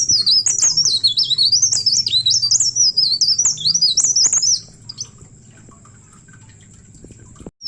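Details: Leaf warbler song for luring other birds: four and a half seconds of rapid, high, zigzagging whistles. Then near-silence with only a faint steady high tone and low hum, and a final short note.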